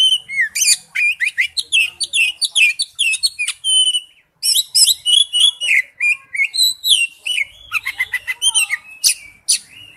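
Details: Oriental magpie-robin lure song: a dense run of varied, clear whistled notes and quick sweeping slurs, mostly high-pitched, delivered in rapid bursts with a short pause near the middle.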